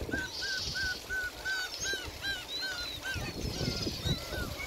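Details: Seagulls calling at Gyeokpo Beach on Korea's west coast, louder than the waves: a clear run of short, arched, nasal cries repeated about three times a second, with more distant gulls overlapping and soft surf beneath.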